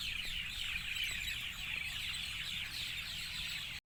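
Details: Evening birdsong: a dense chorus of many birds overlapping in high, quick chirps and twitters, sustained steadily for nearly four seconds over a faint low rumble, then cutting off abruptly.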